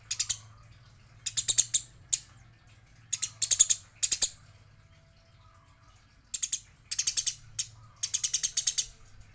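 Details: Eurasian tree sparrow, said to be fighting, with a female noted, giving bursts of harsh, rapid chirps in tight clusters of quick notes, about five groups across nine seconds separated by short silences, over a faint low steady hum.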